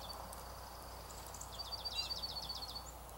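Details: Mid-April snowstorm with juncos and other birds: one fast trill of sharp, high, repeated notes lasting just over a second, over faint background noise.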